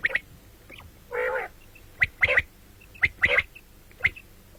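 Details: Common quail giving a harsh nasal note, then crisp triple-note bursts of sharp clicks about once a second, with faint low background noise.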